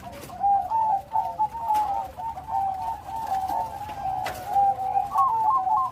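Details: Bangkok-type zebra dove in full song, with a big voice and complete rhythm: a steady run of soft, rolling coos and quick trilled notes at a mid pitch, with brief pauses between phrases.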